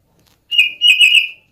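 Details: Oriental magpie-robin (kacer) giving a cat-like lure sound used to get other birds singing: a strong, steady whistled note held for about a second, briefly broken, then resumed.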